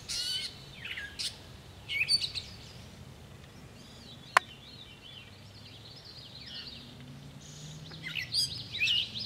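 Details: Catbird song recorded on 10 July: quiet, jumbled bursts of varied squeaky, scratchy high phrases at the start, around two seconds and near the end, with softer warbling between, one sharp click midway, and faint low background hum.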